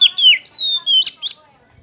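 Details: White-rumped shama, a clear whistled phrase: a descending slurred note, a long level whistle, then two sharp upswept chips, loud and clean against a quiet background.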